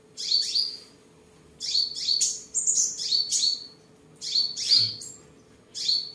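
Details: Sunbird singing, displaying and sparring, recorded 23 July 2022 in Vietnam: high, thin, buzzy chirped phrases in short bursts of two to five notes, separated by brief pauses, with a faint steady hum underneath.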